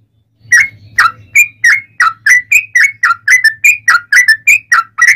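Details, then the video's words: Yellow-vented bulbul long rolling fighting song, meant to make other bulbuls answer at once: after a brief low hum, loud chortling whistled notes rise and dip, roughly three each second, steady and forceful. "KICAU SUARA trucukan gacor TARUNG ROPEL PANJANG"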